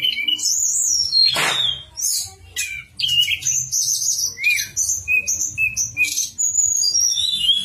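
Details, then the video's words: Master song of a Javan sunbird meant to encourage stalled birds to sing: high twittering phrases and short whistled notes, with one loud harsh burst early, then a steady stream of chirps. "Tledekan Gunung Suara Nyuling/Masteran Tledekan"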